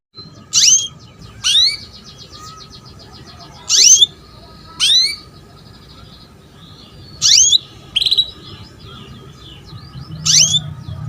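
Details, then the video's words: Female canary luring a young male to sing: sharp upward-sweeping chirps repeated roughly every one to two seconds, some in quick doubles, over a faint steady hum. "KENARI BETINA MEMANCING JANTAN || PANCINGAN KENARI PAUD AGAR BUNYI"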